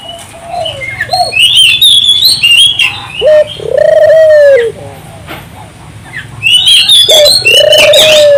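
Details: Turtle dove singing vigorously, used as a lure to get local doves singing: a short low coo then a long, level, slightly arching coo, twice, mixed with busy high chirps and whistles from other small birds.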